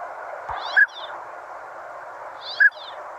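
Northern Pintail giving two short, mellow whistled notes about two seconds apart, over a steady background hiss.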